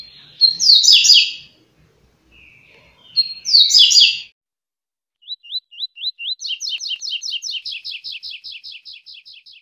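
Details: A Double-collared seedeater sings rapid "flash" songs, about 30 a minute: two harsh, buzzy bursts, then rising slurred whistles that speed into a quick string of sharp, repeated high notes.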